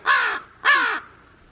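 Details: A crow on a farm in early spring, as the snow melts, gives two harsh, hoarse caws of about a third of a second each. The owner thinks its calls respond to other crows around.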